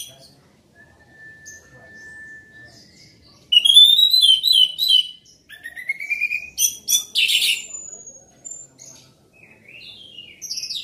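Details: Orange-headed thrush singing loudly, a captive songbird: a long thin steady whistle, then bursts of rich warbled phrases and harsh buzzy notes, with rising and falling whistled slides between quieter gaps.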